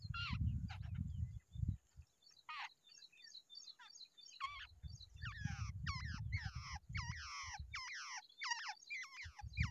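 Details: A wild babbler pair at the nest produces scattered harsh calls, becoming a denser run of sharp, looping nasal notes toward the end, with intermittent low rumbling noise.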